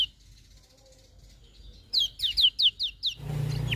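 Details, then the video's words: Lemon-bellied white-eye in the morning: after a quiet start, six sharp, high, downslurred chip notes follow quickly in about a second, then a broad rushing noise takes over. "Kicauan Kecial Kuning Pagi Hari"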